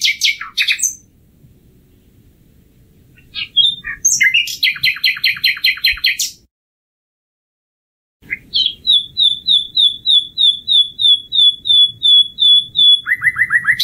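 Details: Common nightingale singing: varied phrases of sharp chirps and rapid repeated notes, a pause, then a long series of clear whistled notes repeated steadily before a fast stuttering trill; faint low rumble behind.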